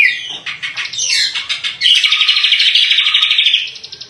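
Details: Greater green leafbird (cucak kombo) singing gacor, a busy stream of varied chirps and slurred notes, then a long run of fast, evenly pulsed trills held for about two seconds, bright and high.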